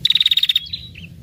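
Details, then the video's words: Female red-headed prinia trilling to lure males: a rapid run of about twelve bright, high, evenly spaced pulses, ending in a brief thin slurred whistle. "SUARA PIKAT PRENJAK KEPALA MERAH BETINA NGETIR PANJANG"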